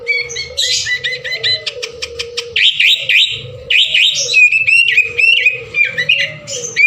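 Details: Noisy sooty-headed bulbul chorus used to spur other birds to sing: rapid clicking chirps give way to looping whistled notes and chatter over a low continuous hum.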